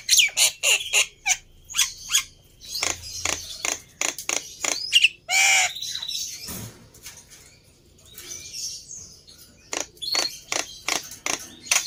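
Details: Black-winged myna sounds played as a lure to get a non-singing myna to respond: a long string of harsh, raspy chatter and squawks, one louder drawn-out nasal squawk, a quieter spell, then more rapid chattering.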